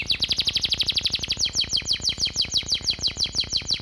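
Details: Canary master vocal carrying sparrow, cigun and flamboyan fill-ins: a rapid chattering trill that shifts partway into slightly slower, broader falling notes, keeping an even driving rhythm throughout.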